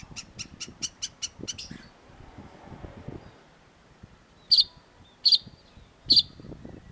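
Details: Long-tailed shrike, in a training recording for caged birds: a rapid series of thin ticking notes, a pause, then three loud, piercing notes spaced under a second apart.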